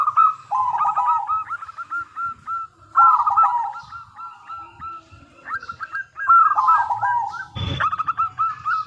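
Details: Zebra dove used as a lure for answering doves: crisp cooing phrases of quick hooked notes, several bouts in a row, with a brief sharp click partway through.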